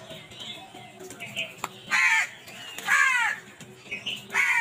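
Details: Crows in a violent scramble for food, with scattered soft calls followed by two loud rasping caws and a third at the end.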